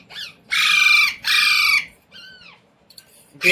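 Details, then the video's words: Home-trained Indian Ringneck parrot that says "mummy" and "roti roti": two long, coarse, loud bursts back to back, then a soft arched whistle and another sharp burst at the end. "Parrot Talking | मम्मी | मिट्टू | रोटी रोटी | तोते को बोलना सिखाये | Talking Parrot"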